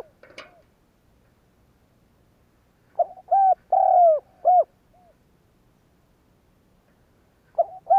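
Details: Spotted dove cooing, used as a lure to provoke other doves into cooing: a short burst of sound, a quiet pause, then a phrase of loud, low mellow coos with one long drawn-out note in the middle, and another coo starting at the end.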